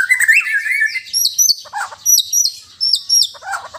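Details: Bornean white-rumped shama from Sabah singing: a clear whistled phrase, then repeated paired high, sharp notes and short lower chirps at roughly half-second intervals.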